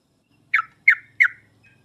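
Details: Sooty-headed bulbul lure recording for hesitant singers: three sharp, downward-slurred notes spaced about a third of a second apart.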